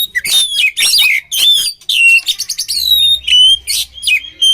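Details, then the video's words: Oriental magpie-robin in full combination song used for training: loud rising whistles, rapid stuttered chatter, then clear level whistled notes repeated in short phrases. "SUARA KACER KOMBINASI AMPUH UNTUK MELATIH MENTAL KACER"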